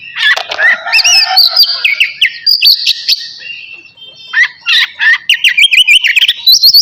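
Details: Oriental magpie-robin (navy type) singing energetically before bathing, mixing harsh chattering bursts with sweet whistled trills, zigzag phrases and a quick run of repeated notes after a short lull.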